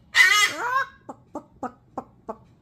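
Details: A cockatoo, urged to cluck like a chicken instead of barking at the dog next door, gives one harsh, raspy squawk, then five short, low clucks about a third of a second apart, a rough imitation of a hen.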